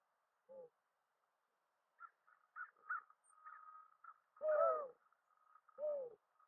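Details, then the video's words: Mourning dove calling with mellow, low hooting coos: a short opening note, a long swelling woo midway, and a final falling coo, over a steady higher-pitched tonal hum and a few soft chirpy notes. "Mourning dove call"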